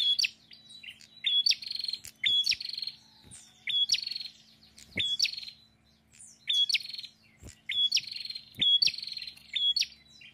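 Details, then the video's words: Prinia singing actively, repeating short phrases: a clear high whistle sliding into a loud buzzy rattling trill, given about every second with brief pauses. A low steady hum runs underneath, with occasional sharp clicks. "PRENJAK GACOR PETAKILAN"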